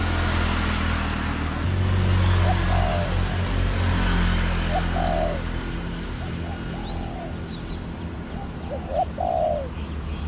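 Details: Garden spotted dove drawn by a decoy, coos faint and somewhat distant: several short low phrases, each a quick note and a longer dipping coo, spaced a few seconds apart, with high twittering of other birds near the end and background rumble.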